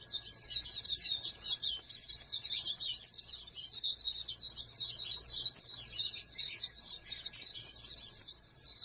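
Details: Oriental white-eye from a breeding flock aimed at national competition pours out an unbroken run of high, rapid, chirping notes for the whole stretch, steady low hum in the background.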